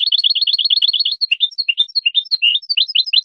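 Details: Tutor recording of European goldfinch song meant for young birds: quick, liquid twittering at first, then loosening into separate high chirps and short rising and falling notes in an uneven, lively rhythm.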